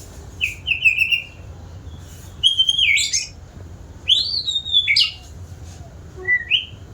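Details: White-rumped shama, described as an eager, frequent singer, giving clear whistled phrases: a quick run of repeated short notes, then rising and falling slurred whistles and sweeping high notes, separated by short pauses, with a low steady hum beneath.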